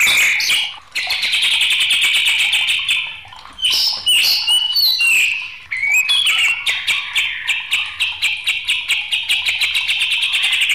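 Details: Agitated white-rumped shama pouring out song, with sustained buzzy, shimmering notes, a few harsh squawks, then a long rapid burst of sharp chattering clicks repeated many times a second.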